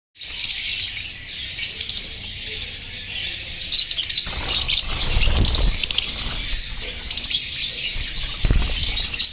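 Rosy-faced lovebirds give a constant stream of shrill, high chirps and squeaks, overlapping without pause, with occasional low thumps and rustling.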